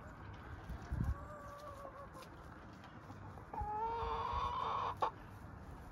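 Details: Dorking chickens from a farm flock: two drawn-out, tonal, slightly wavering calls, the first thin and steady, the second louder and buzzier, rising then holding before breaking off. A low thump and steady background rumble are also heard.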